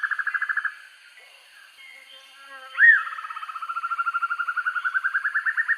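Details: Dusky broadbill recorded for training birds: a brief trill, a pause, one loud upslurred squeal, then a new pulsing trill that speeds up and grows louder.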